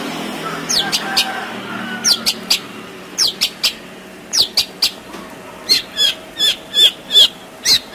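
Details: Long-tailed shrike in full, varied song, used as a training recording to prompt reluctant birds to sing: sharp rising whistles and clicks, then clear slurred whistled notes about twice per second, over steady background hiss.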